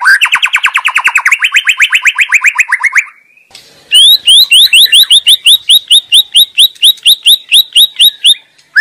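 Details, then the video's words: White-rumped shama singing energetically in the wild: a fast run of about twenty buzzy repeated notes, a brief pause, then a long series of sharp upslurred whistles repeated roughly three times a second, loud and clear. "Sura merdu Burung murai batu sedang ngoceh gacor di alam liar"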